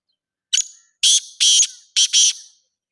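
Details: Black francolin giving its grating phrase: a brief sharp note, then two long harsh buzzy notes and a final doubled note, spaced about half a second apart, loud and clear against silence.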